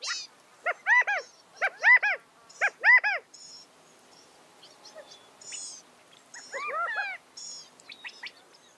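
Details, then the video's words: California quail calling in bursts of arched, slurred notes, two or three per group, with groups about a second apart, then a pause and a later group amid faint high chips. "California Quail Bird Sound, Bird Song, Bird Call, Bird Calling, Chirps"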